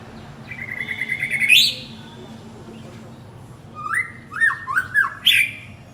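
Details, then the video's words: Calling to his partner, a male white-rumped shama gives a held whistle ending in a rising buzzy sweep, then after a pause a series of short falling whistled notes and a final upward flourish. "Chích choè lửa gọi bạn - Shama bird calls his partner"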